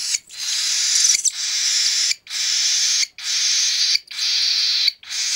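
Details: Hand-fed three-week-old cockatiel chick begging: harsh, hissing, raspy calls, each lasting nearly a second, repeated about once a second with short breaks between them.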